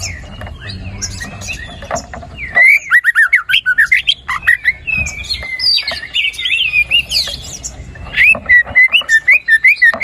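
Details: White-rumped shama in lively song, used to get a lazy bird singing: quiet opening, then a burst of rapid whistled phrases, clicks and trilled notes, finishing with repeated downward whistles.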